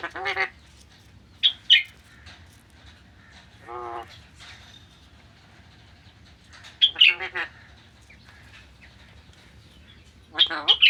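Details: Alexandrine parakeet uttering several harsh raspy squawks and screeches in scattered bursts, with quiet gaps and a low background hum.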